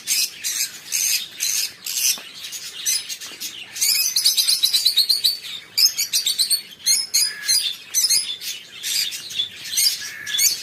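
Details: Lovebirds chattering: dense, high, scratchy twittering and squeaky chirps in quick bursts, several overlapping voices with short pauses between bouts.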